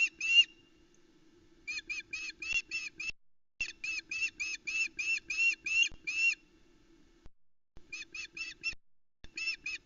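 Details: Female osprey on the Loch Arkaig nest, Scotland, 17 July 2020, calling as the male brings a large headless trout in the morning, chicks present; bursts of rapid, sharp whistled yelps, several per second, broken by short pauses, over a steady low hum.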